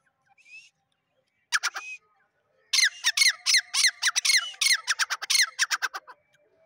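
A male grey francolin gives a loud, harsh, screechy call: a brief burst of three notes, then a rapid run of about twenty squeaky notes, about three per second.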